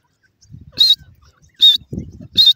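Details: Three piercing high peeps from partridge chicks at a race, evenly spaced under a second apart, over low scuffling and rumbling noise.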